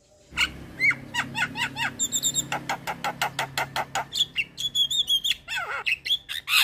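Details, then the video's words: Javan myna in busy, varied song meant to draw other mynas into singing: a long series of rhythmic clicks and short chirps, high thin whistles, a steady low hum in the background. "JAlak kebo GAcor Full Isian Masteran Jalak Kebo - PAncingan Semua Jenis Jalak"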